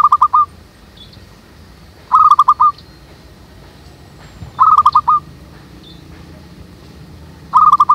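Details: Local zebra dove lure in a jackfruit tree behind a house, calling in regular short phrases of four or five rapid rolling coo notes, repeated roughly every two and a half seconds, with faint high chirping between.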